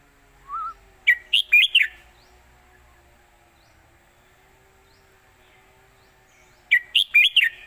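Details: Red-whiskered bulbul singing a traditional southern Thai 'khuen jok' master song intended for teaching birds; a short low whistle, then a four-note whistled phrase, repeated after about five quiet seconds.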